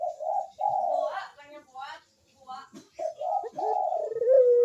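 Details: Barbary dove in full 'kuk deruk' manggung cooing, played as a lure for doves that are slow to call: soft throaty notes with a pause between, ending in a smooth, drawn-out coo. Faint clicks and rustling are heard.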